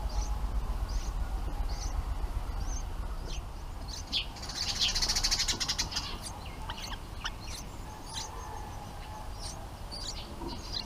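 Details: Nestling bulbuls being fed by their parents: short high tweets in quick uneven bursts, with a brief dry rattling flutter midway and low background hum throughout.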